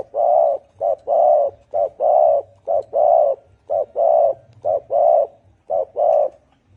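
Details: Spotted dove (cu gáy) in the deep-voiced 'thổ ồm' cooing style, used to rouse wild doves: low hollow coos in repeated phrases of a short note followed by a longer drawn-out coo, about every second, clean and close with no other sounds.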